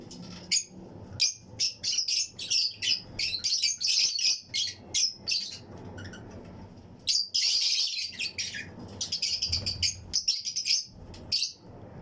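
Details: Fischer's and Lutino lovebirds in a colony flight aviary, pairs chirping and singing with other birds around them: dense, rapid, piercing high chirps, nearly nonstop, with short pauses and a faint low hum beneath.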